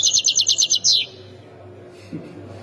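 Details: A Khemis Miliana goldfinch from Ain Defla province gives one second of fast, ringing repeated chirps that drop in pitch at the end, followed by near silence and a low background hum.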